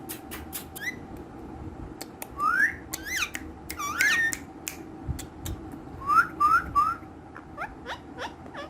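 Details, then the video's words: Pet green ringneck parrots mix sharp clicks with rising whistled notes, including three quick upslurred whistles in a row, in a small room. "Funny Ringneck Green Parrots | Dancing And Talking Parrots | So Playful And Active Speaking Parrots"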